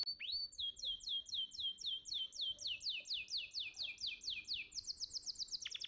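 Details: Champion gantangan-contest canary, recorded as training song for young birds: a steady run of clear, swooping high whistles repeated roughly four times a second, ending in a quicker sharp trill.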